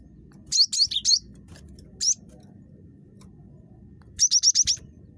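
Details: Cinereous tit (gelatik batu), a very chatty bird used as a calling lure: four quick high whistled notes, a single note, then a rapid run of five evenly spaced sharp high notes, over a low rumble.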